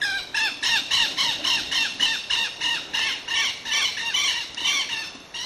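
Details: Ringed kingfisher (subspecies Megaceryle torquata stellata), wild in its natural habitat in Andean Patagonia, giving a loud, harsh rattle of rapid grating notes, about three per second, steady and dry throughout.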